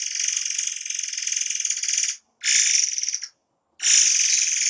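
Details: Forktail, recorded as a training recording for songbirds, giving dense, rapid 'shots': a harsh, buzzy, finely pulsed rasp over two seconds long, a shorter burst, a gap, then another long burst.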